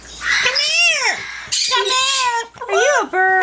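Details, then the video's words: Pet yellow-naped amazon parrot singing and talking indoors: drawn-out, richly harmonic vocal phrases that swoop up and down in pitch, with short breaks between them. "SINGING AND TALKING FUNNY PARROT"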